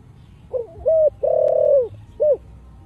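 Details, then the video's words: Spotted dove singing in the deep 'giọng thổ' style: one low cooing phrase of four notes, a short rising coo, a longer coo, a long sustained central coo, then a short closing coo, over a quiet hum. "Cu gáy giọng thổ đặc đủ bài chiêu - thúc - gù/ cu gáy giọng thổ sấm/ tiếng chim cu gáy kích bổi"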